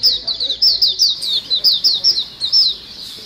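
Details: White-eyes in a lively calling group, used as a lure sound: rapid high, thin, downslurred chirps tumbling one after another, about four per second, overlapping voices with faint hiss behind.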